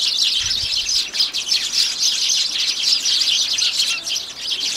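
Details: Busy crowd of Eurasian tree sparrows at a home bird table in Japan, 2 January; a steady wall of bright, high-pitched chirps from many birds overlaps without break, rapid and irregular, with a faint low thump near the start.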